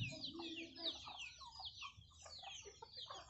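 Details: Chicks with hens feeding on young rice from farmers; loud, close chick cheeps sliding downward in quick runs, with some mid-pitched hen notes between them.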